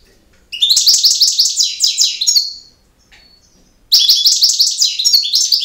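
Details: Campero-style European goldfinch song: a lively two-second run of rapid, bubbling high chirps, a pause with a faint thin note, then another vigorous phrase begins.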